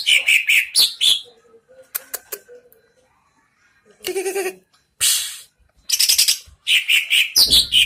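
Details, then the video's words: Greater green leafbird facing off against another leafbird in a song-fighting and mental-test challenge, singing loud, high, ringing chirps and sharp whistled notes in quick, uneven bursts, broken by a brief low buzzy sound and rustling. "GAYA NAKUTI LAWAN CUCAK IJO"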